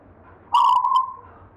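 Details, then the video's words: Local zebra dove in the gayer style, an heirloom bird from a grandfather, with one strong cooing phrase that opens in a quick rattling buzz and trails off into a smooth sustained tone. "perkutut LOKAL alam GAYER tinggalan SIMBAH suara irama"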